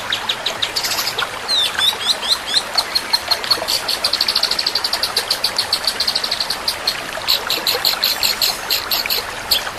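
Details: Long-tailed shrike 'tembakan' song with super speed and a long roll: scratchy high notes and swooping whistles build into an extended rapid trill, then continue as fast, steady chattering phrases; constant hiss behind.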